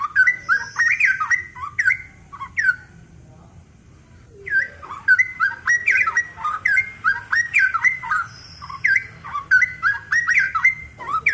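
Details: Cucak rowo (straw-headed bulbul) singing at full energy: fast cascades of mellow whistled notes with sharp pitch slurs, a quiet gap of a couple of seconds, then an even denser bubbling stretch.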